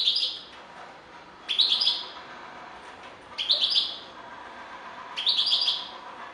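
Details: Singing European goldfinch repeating tinkling, chattering phrases of about half a second, roughly every one and a half to two seconds, bright and high with a light buzz, against low background noise.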